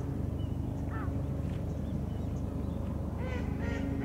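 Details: Birds calling by the lake in Mizumoto Park, Tokyo, Japan: a short nasal, harmonic call near the first second, then a pair of louder honking notes near the end, over a steady low rumbling hum.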